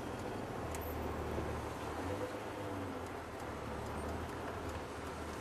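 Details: Steady low engine rumble and broad background hiss from a moving vehicle outdoors, with no animal voice standing out.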